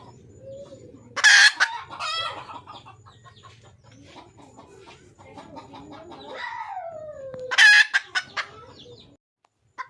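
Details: Wild female junglefowl calling for a male: two loud raspy squawks about six seconds apart, each trailed by rapid clucks. A smooth sliding note falls in pitch just before the second squawk.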